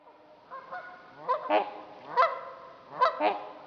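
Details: Trumpeter swans on Dixon Lake, Itasca County, Minnesota. Several nasal, horn-like honks, often in quick pairs, rising out of soft background murmuring across a few seconds.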